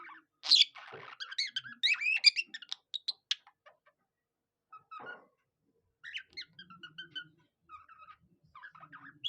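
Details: Budgerigar singing like a cockatiel: a sharp loud squawk opens a rapid twittering, clicking chatter, fading into quieter scattered chirps and soft warbles after a pause.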